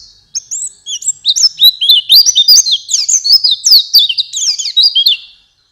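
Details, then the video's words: White-eye song used as a morning and night lure for kept birds: a fast, continuous, bubbly warble of high zigzag whistled notes, several per second, steady throughout. "Masteran pleci, cocok untuk malam dan pagi, langsung nyaut"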